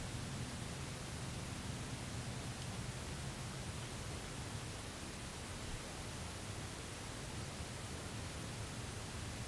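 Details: Even, hissing broadband noise like wind buffeting a microphone outdoors, with a low rumble and no calls.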